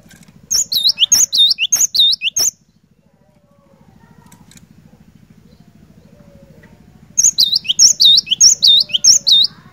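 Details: Lively cinereous tit repeating piercing, high whistled phrases in a quick run, falling silent for about five seconds, then resuming the same ringing, swooping pattern, with a low mechanical hum underneath.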